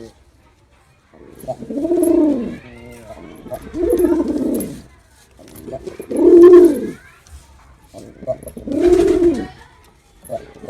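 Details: Male pigeon performing, giving deep throaty coos in rounded swelling phrases about every two seconds, each rising then falling, with short quiet gaps between bouts.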